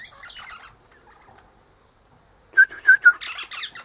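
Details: Eastern rosella chatting in the morning, perched high in a hedge with its mate in a nearby pecan tree; scratchy broadband chatter, a pause, then sharp whistled notes running into more harsh rasping chatter.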